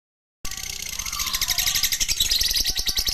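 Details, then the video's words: Lovebird giving a long ngekek chatter: a rapid, shrill run of high chirps pulsing about four times a second, starting abruptly after brief silence and continuing steadily to the end. "burung Lovebird, ngekek panjang"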